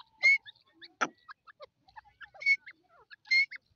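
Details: Grey francolin (Dakni teeter) giving loud, ringing notes with rich overtones, three strong calls spaced about a second apart, with scattered softer chirps and clicks between them.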